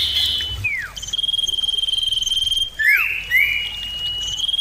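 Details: Common iora in a clear, loud duet-style lure. Long, level, pulsed whistles are broken by several falling slurred notes.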